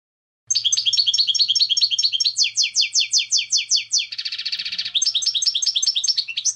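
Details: High, rapid goldfinch song in the clean contest style, meant to teach young birds: tinkling repeated notes, then a run of sharp downslurred chips, a buzzy rattling stretch, and more quick twitters, with a faint low hum beneath.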